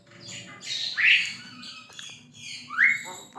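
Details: Javan myna song for training cage birds: two loud, harsh upslurred squawks separated by scratchy chatter, over a steady low hum in the background.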